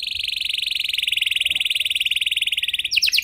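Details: Canary in long, specially varied song, played to draw silent canaries into singing; a continuous buzzy rolling trill holds on one high pitch, then ends in a few sharp swooping notes.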